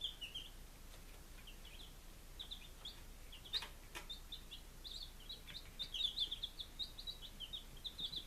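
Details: Five-day-old chicks from Lunenburg, Massachusetts, in July 2017 peep softly at first, then in a busier stream of high cheeps toward the end, with a couple of brief clicks.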